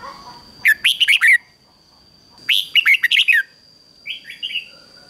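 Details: Trained decoy red-whiskered bulbul luring wild birds: two loud phrases of clipped, warbled whistles about two seconds apart, followed by a softer two-note reply, with a constant high tone behind.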